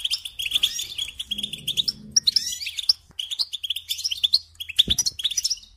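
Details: European goldfinch singing, played for teaching young birds: fast tinkling twitters and chirps in bursts separated by short gaps, with a faint low murmur behind them.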